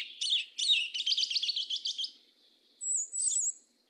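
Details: Mateiro do sul song from a yellow-legged thrush: a quick rolling run of repeated warbled notes lasting about two seconds, then a clear high whistle followed by a short twittering phrase.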